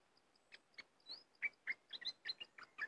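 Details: Cream-vented bulbul pouring out a steady series of short slurred chirps and bubbly notes at varying pitches, roughly five per second, with a faint regular ticking behind.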